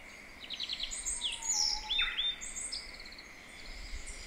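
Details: Japanese bush warbler singing a practised song in a mountain valley with slight echo: a faint low drawn-out whistle followed by a quick tumbling, falling phrase, with other high chirping birds around.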